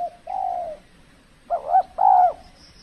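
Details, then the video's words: Spotted dove at a decoy trapping site in the cold season, when the birds are less bold: a drawn-out soft coo followed by two fuller, throaty hooting notes with a slight rise and fall. "burung tekukur kalau musim dingin kurang bernyali termasuk pikat pun kurang agresif"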